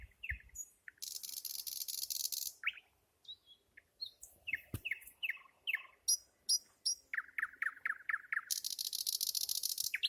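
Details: Nightingale song in varied phrases: scattered sharp notes, a loud harsh buzzing rattle, separated clicks and whistles, then a quick run of about seven repeated descending notes, closing with another buzzy rattle.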